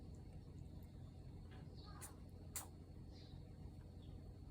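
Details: Japanese bantam roosters kept as pets sneezing: two short, sharp puffs of noise about half a second apart, over a steady low hum with faint high chirps in the background.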